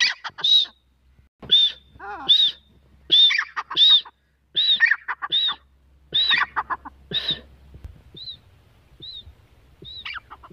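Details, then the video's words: Calling female grey francolin (teetar): about nine loud harsh phrases with high arched whistles, one followed by a descending note, then the series trails off into three thin, quieter whistled notes. "teetar ki awaaz || GREY francolin voice || Grey francolin female voice"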